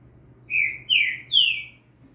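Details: Young Double-collared seedeater singing firmly as a training model for fibra singing, a Green-winged saltator in the background. Three loud slurred notes, each sliding downward, come in quick succession against a faint steady hum.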